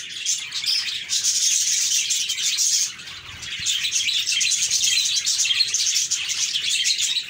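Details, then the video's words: A flock of budgerigars chatters continuously, thin high warbles and quick twittering notes layered over each other, with a brief dip in loudness near the middle before the chorus resumes. "Budgies Chirping"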